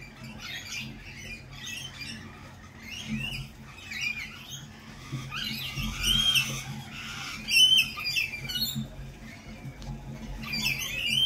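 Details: Lorikeets at a lorikeet cafe in spring, a chorus of harsh, screechy squawks overlapping throughout, with several sharper louder bursts near the middle and end over a low steady indoor hum.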